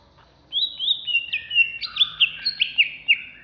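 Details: Caged greater green leafbird of Alas Purwo origin, kept in Jatiasih, Bekasi, singing agitated and ready for contests: bright whistled slurs of rising and falling notes, packed rapidly after a half-second pause, high and clear over quiet background.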